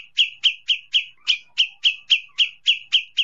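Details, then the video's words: Kapas tembak bird in ombiyokan style, used as tutor sound for oriental magpie-robins: a sharp, bright chirp repeated about four times per second at a steady rhythm, clean with no other sounds. "masteran burung kapas tembak"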